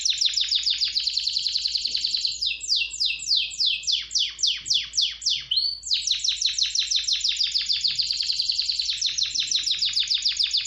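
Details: Canary in full song, alternating fast rattling high rolls with series of sweeping descending notes, then returning to a long rapid trill; clean recording with no other sounds.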